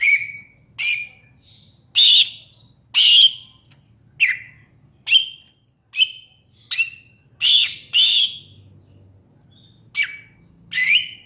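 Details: Greater green leafbird delivering bright, clipped chirps and rasping notes in an uneven run, roughly one per second, each falling slightly in pitch, with a quiet low background hum.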